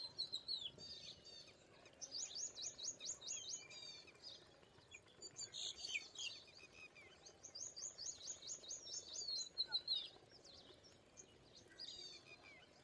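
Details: Indian pied myna giving bursts of fast, high, chattering notes in rhythmic runs, separated by short pauses and mixed with sharp squeaky whistles, over a soft background hiss.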